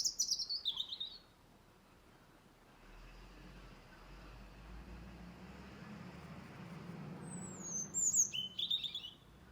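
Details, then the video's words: November songbirds in a garden tree in Blackrock, Dublin: a high warbled phrase, several seconds of quiet with low rumble, then another thin, high, tumbling phrase of quick notes. "November Birdsong Blackrock Dublin"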